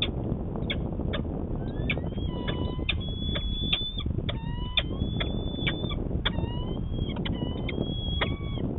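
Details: Morning courtship of peregrine falcons, Manchester, New Hampshire, 25 March 2020: quick clipped chips mixed with several long, level, whining wails, heard through heavy low traffic noise.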